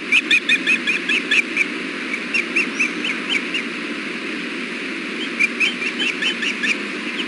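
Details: Osprey pair at the Hellgate nest, filmed by nest cam on 6.4.16 around 4:00 pm as the male delivers a fish and feeds the female bites beside the eggs. Clear, high whistled chirps come in quick repeated series, with steady background hiss.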